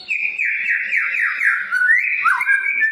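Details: White-rumped shama in full song, used as a lure to trigger singing and agitation in other shamas. A sustained, rich whistled phrase wavers in steps, then dips and rises in smooth slurs.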